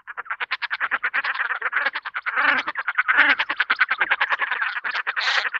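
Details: Common Shelduck producing a continuous rapid cackle of harsh repeated pulses, several per second, with fuller, lower overlapping notes at intervals and a short, brighter high-pitched note shortly before the end.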